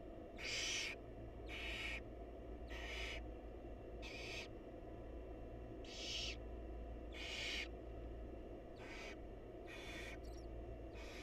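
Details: Wild barn owls in a monitored nest box, mother feeding the chicks: about nine rasping hiss-screeches in quick succession, roughly one per second, some louder than others, over a steady low hum.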